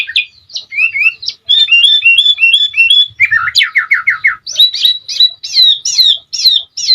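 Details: Sooty-headed bulbul in full chattering song, used as a tutor recording to get other birds singing and answering. Rapid whistled notes, a run of steeply falling slurred notes mid-phrase, then rising-falling whistles repeated about every half second.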